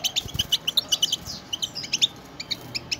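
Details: Several European goldfinches in chorus, used to encourage caged goldfinches to sing: rapid, tinkling high notes, about one per second at its most regular, clear metallic chirps scattered in a lively twitter.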